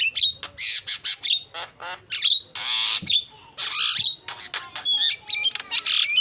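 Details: Chattering Javan myna, used as a tutor to prompt other mynas that have stopped singing: dense sequence of grating squawks, long harsh rasps, clicks and quick whistled notes delivered almost without pause.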